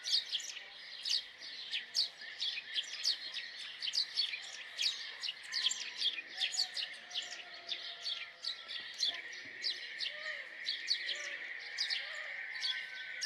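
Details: Dense chatter of house sparrow chirps, many overlapping sharp 'cheep' notes tumbling quickly over thirteen seconds, with a steady high background hum.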